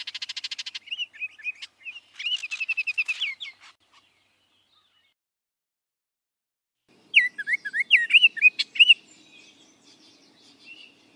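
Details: Baltimore Oriole singing: a fast dry rattle opens, then a run of clear whistled, slurred notes. After a silent pause comes a second burst of looping, rising and falling whistles, ending in a faint, steady background hum.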